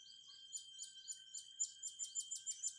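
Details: Blue-crowned hanging parrot used in training young birds, heard fairly quietly: a run of high, sharp chirps, spaced at first, then coming faster, about four per second, with a constant faint whine behind.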